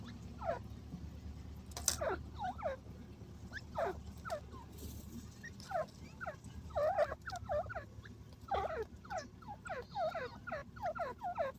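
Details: Grey francolin, the desi teetar, gives repeated harsh, falling hooked notes in loose bursts of two to four, with a low background hum throughout.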